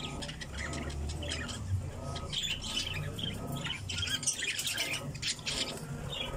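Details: Several budgerigars in an aviary give continuous high, scratchy chirps and squawks over a steady low rumble of background noise.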